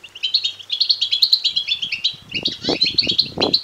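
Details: European goldfinch chicks begging, calls meant to stimulate males to sing and mate: a steady run of quick, high twittering chirps with brief pauses, followed by a few soft low thumps near the end.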